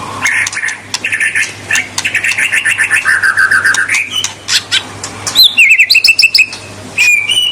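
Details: White-rumped shama in full song to provoke rival birds: a rapid rattling series of clicking, chattering notes, then sweeping whistles and high buzzy trills, with a quiet steady hum underneath.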